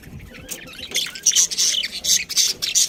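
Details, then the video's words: Pet budgies in a brief stretch of quick, high squeaky chirps and squawks that grow louder toward the end. "cute budgie chirping sounds"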